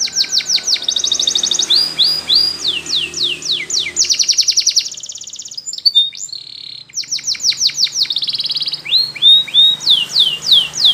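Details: A Spanish Timbrado canary sings in the morning with steep falling whistles, fast metallic rolls, and short bursts of rapid trilling, briefly pausing near the middle before repeating similar sweeps and rolls.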